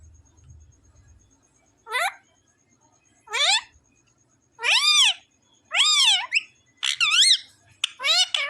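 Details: Pet parrot, called a talking parrot, giving a series of loud harmonic arched calls every one to one and a half seconds, rising and falling, growing more frequent toward the end; quiet room.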